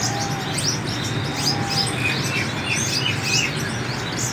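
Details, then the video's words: Sunbird song of quick, sharp chirps and thin slurred whistles in a busy run, with a steady low hum and hiss behind it. "hút mật 7 màu thả"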